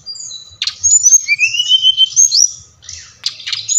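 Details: Brown-chested jungle flycatcher, Bali variety, sings clear high whistles with a long rising glide in the middle, framed by short sharp notes. It is played to encourage lazy captive birds to sing.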